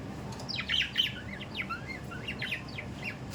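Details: Budgerigars kept as pet parrots, giving a quick run of high, rapid chirps and short warbled notes, several per second, over a low steady background hum.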